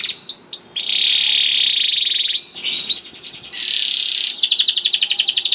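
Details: Young male canary (kenari paud) singing a persistent rolling song used to stimulate other canaries to sing: long buzzy trills around mid-high pitch, separated by short sweeping chirps, ending in rapid repeated notes.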